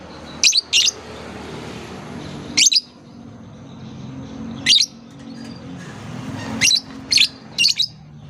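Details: Training sound for young lovebirds learning to sing: short, high, sharp chirps come singly or in pairs and triplets, spaced about two seconds apart, with steady background hiss between them.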